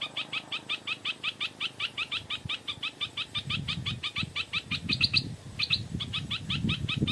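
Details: Stripe-throated bulbul in the evening, answering a decoy bird: rapid, evenly spaced sharp notes, roughly three per second, continuing throughout, with rumbling handling or wind noise in the later part.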